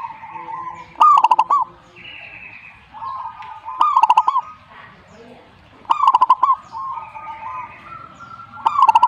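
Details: Perkutut (zebra dove) answering in song: four rolling cooing phrases, each a rising coo into fast pulses, repeated about every two and a half seconds, with softer cooing from other doves in the background.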